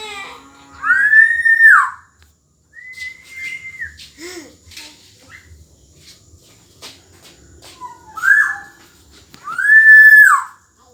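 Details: Energetic black-naped oriole (kepodang emas) song, a model for young orioles learning: rich fluty whistles with sliding ends, one long flat whistle, soft clicks and ticks between, closing with two loud full phrases.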